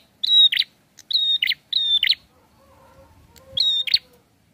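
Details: Prinia song of long, steady, high whistles, each closing with a harsh rattling burst, repeated three times quickly and once more after a gap, over faint background hum.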